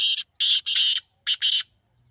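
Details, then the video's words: Loud partridge call made of harsh, grating, drawn-out syllables: three long rasping bursts close together, a pause, then a short note and one more long bursting syllable, fading into quiet. "تیتر کی ایسی آواز جو آپ نے پہلے کبھی نہیں سنی ہوگی"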